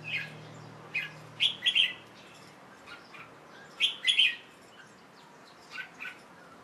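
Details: Late afternoon song of a young male Red-whiskered Bulbul, kept and about to rest after a bath, 1 January 2012: short sharp chirped notes in small clusters, repeated roughly every second or two, with a faint low hum early on.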